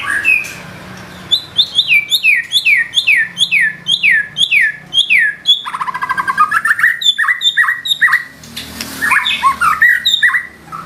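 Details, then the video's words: White-rumped shama delivering imitated phrases: a long run of about a dozen clear descending whistles at an even pace, then a fast rattling trill and a final burst of varied slurred notes. "Murai batu nembak isian gacor"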